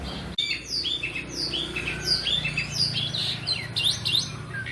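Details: Black-and-white Asian pied starling in care, in nonstop song: a brief click, then a steady stream of sweeping whistled notes and chirps at high pitch, one after another without pause, over faint low hum.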